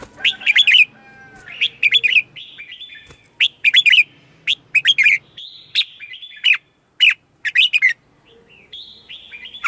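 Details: Red-whiskered bulbul morning song used as a lure to call in wild birds: bursts of bright, chattering whistled phrases, several quick notes each, repeated in clusters with short pauses and a few softer drawn-out whistles between.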